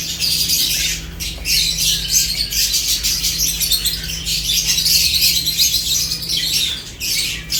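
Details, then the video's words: Lovebirds chirping busily during a meal. A dense, raspy, high-pitched chorus of many overlapping calls runs with few short gaps, and a low hum sits in the background. "Lovebirds unique colors eating and chirps sounds"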